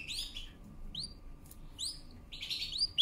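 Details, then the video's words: Canary song played for training: scattered bright upward-sliding chirps, some doubled, with a louder burst of notes at the end over a faint low hum. "CANARY SINGING POWERFUL SONG | CANARY SINGING FOR TRAINING"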